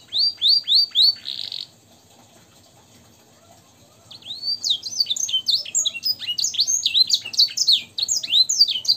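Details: Canary training song in the blackthroat and sanger fill style: four loud downslurred whistles and a brief buzz, a pause, then a dense run of varied high chirps and swooping notes.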